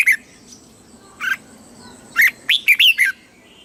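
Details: Red-whiskered bulbul singing in the southern master style, played to stir caged birds and teach chicks; a few scattered sharp notes, then a closing run of four or five bright rising whistles.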